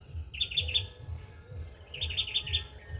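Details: Male olive-backed sunbird singing: two short bursts of three to four bright, rapid, slightly descending notes, with a steady low rumble beneath.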